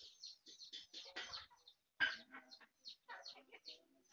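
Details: Hen foraging: dense clucks and harsh short calls mixed with many high chirping chick peeps, one loud sharp note near the middle.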